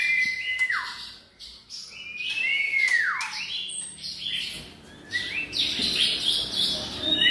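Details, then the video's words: White-rumped shama, F strain, giving loud whistled notes that hold steady then swoop sharply downward, followed by a burst of buzzy high chatter and chirps. "murai batu seri F"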